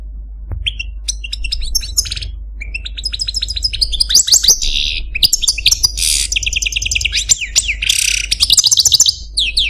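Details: Caged male Algerian Parva goldfinch singing a complex song of rapid twittering phrases, buzzy trills and sharp chirps, nearly continuous with brief pauses.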